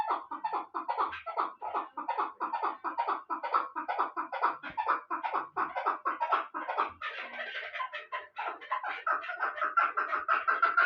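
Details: Bartang chukar partridge from the Pamirs, a year-old hunting bird, repeating strong clucking chuk notes in a regular pulse, the series shifting midway into a higher, hoarser rapid cackle.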